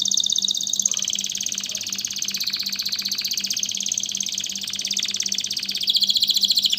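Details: {'text': 'Canary singing fast, rolling, high trills that shift between pulse rates and pitches without pause, over a steady low electrical hum.'}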